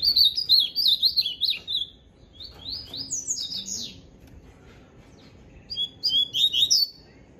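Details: A papa-capim seedeater, nicknamed bigodinho and described as challenging another bird, sings bursts of quick, high twittering notes that slur up and down.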